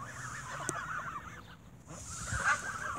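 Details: Geese squabbling over bread at an evening feeding, with a brief burst of clamorous honks, a short lull, then a loud harsh honk rising again.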